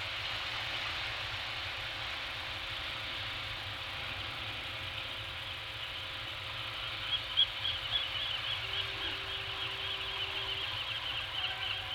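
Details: Steady wind and surf hiss with a low rumble, a few soft knocks and a brief faint engine-like hum; no animal calls.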